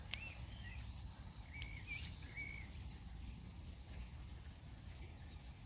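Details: Wild birds singing on an early spring walk from Bromsgrove to Tardebigge Reservoir, 3/4/2020: faint, high chirps and short whistled phrases from several birds over steady low rumble and outdoor background noise.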